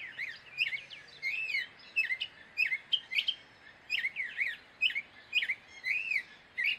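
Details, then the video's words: Gray catbird song of squeaky arched notes and quick chirps, phrases changing constantly and following one another at a brisk, uneven pace. "Gray Catbird Call / Song / Sound"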